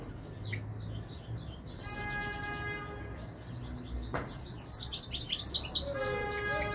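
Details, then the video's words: European goldfinch twittering: sparse high chirps over steady tonal hums, then a lively run of rapid, bubbling high notes before the hum returns. "تغريد طائر الحسون الملكي 2021 / jilguero chant chardonneret"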